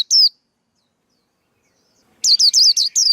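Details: Male white-eye song used as a trapping lure and singing tutor: a single high whistled note, a pause, then a quick run of five looping high notes.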